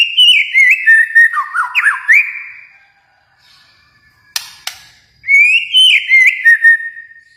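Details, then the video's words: White-rumped shama from Kalimantan singing loud whistled phrases that slide and step between notes, a short pause with two sharp clicks, then another descending whistled phrase. "murai batu Kalimantan"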